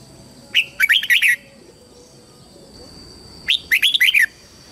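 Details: Red-whiskered bulbul used as a lure to draw wild birds into fighting, giving two bursts of quick, bubbling warbled notes about three seconds apart, each a tumbling chain of rising and falling phrases; constant high hum behind.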